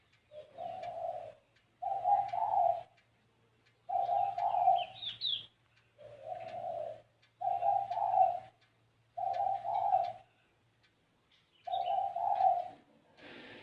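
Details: Spotted dove singing in the 'gáy gù kích bổi' style, a series of low, hoarse cooing phrases of rolling notes, each about a second long and repeated roughly every two seconds, with faint high chirps from another bird mid-way.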